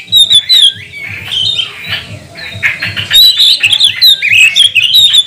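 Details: A magpie-robin sings to provoke rival birds into song: sharp, loud whistled notes and quick slurred phrases, repeated in dense clusters, over a faint low hum.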